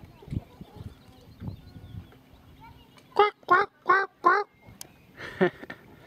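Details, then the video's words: Eurasian coot making a funny noise: after low background knocks, four loud, nasal, strongly harmonic honking notes come in a quick run about a third of a second apart, then a pause and one softer, breathier closing note. "Eurasian coot Makes funny noise"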